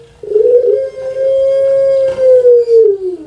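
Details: Indonesian puter pelung, a dove bred on Java for its long voice, delivers a single steady coo lasting about three seconds that bends downward at the finish.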